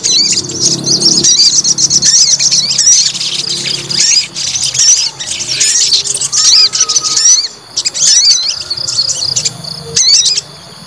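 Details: White-rumped shama being provoked to fight pours out long runs of rapid high whistles and chattering, pausing briefly before loud swooping phrases resume, over a low background hum.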